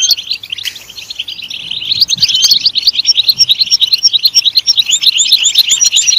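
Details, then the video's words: European goldfinch singing, used for stimulating caged goldfinches to sing: a fast, continuous twittering of high tinkling and buzzy notes, starting softer and becoming a dense, rapid chatter of short chirps. "Comprehensive guide to stimulating and singing the goldfinch"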